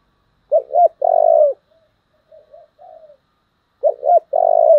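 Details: Spotted dove kept as a decoy, singing a very tense 'giọng thổ' coo. Each phrase is a loud clipped double note and a long sustained coo, with faint soft coos between. The phrase is heard twice.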